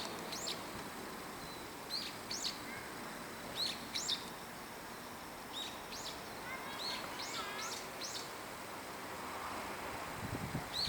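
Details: In winter, a brown-eared bulbul in a tall park tree keeps calling back and forth with nearby bulbuls, giving clusters of shrill, high, sharply bending notes in irregular bursts over steady outdoor noise.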